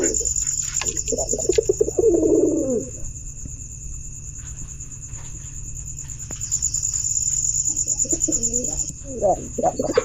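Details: Low, tremulous pigeon coo for about two seconds at the start, a long near-silent pause with a steady high whine and faint clicks, then wavering coos resume near the end.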